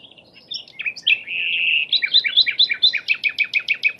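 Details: Flycatcher song used for training other songbirds: high, varied chirps and short whistles, then a sustained whistled note, followed by a fast series of bright two-part notes repeated about twice per second. Faint low background hum.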